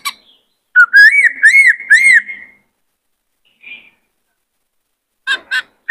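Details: White-cheeked laughingthrush singing its varied song, used for training young birds and getting males to sing and dance. A string of arched, looping whistles, then a soft note and a few sharp chattering calls.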